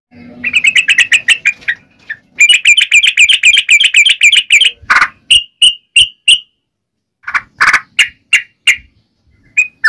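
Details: Sooty-headed bulbul calling its companions: rapid chattering runs of sharp repeated notes, then separate loud whistled flicks and harsher, broader calls, with brief silences between bursts.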